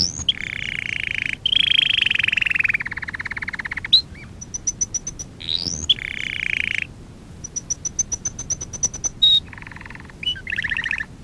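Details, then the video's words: Canary song from a teaching lesson recording for young birds, made of varied tours: buzzy trills, sharp rising slurs, series of very high pure clicking notes, rapid rattling phrases and short twittering bursts, each separated by brief pauses. "Kanarya Ötüşü - 1 (Eğitim - Ders Cd'si) / Canary Singing - 1 ( Education - Lessons Cd )"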